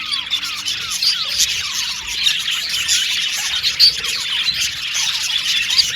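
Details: Australian budgies singing happily: many quick descending chirps and trills over continuous high chatter, with a few sharper whistles standing out.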